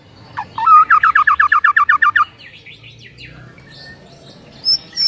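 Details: Fast repeated looping whistles, about a dozen in a rapid even series, from a white-rumped shama's morning masteran song, followed by quieter scattered notes and two high sharp calls.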